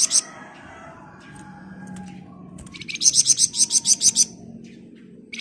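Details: Golden-bellied gerygone, called flamboyan, delivering a dense ngebren song for teaching other birds: a long string of about a dozen sharp, high, buzzy pulses, with thin sustained whistles and soft background hiss.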